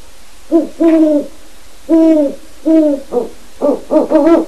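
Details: Captive Great Horned Owl owlets, seven months old, making their first adult-like hoots when a wild resident owl visits; several long low hoots followed by rapid, shorter overlapping hoots from both birds.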